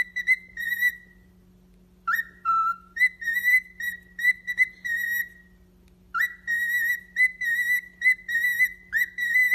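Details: Long, bright whistles from a pet parrot, mostly level with occasional dips lower, grouped in bursts with pauses between. A steady low electrical hum runs throughout.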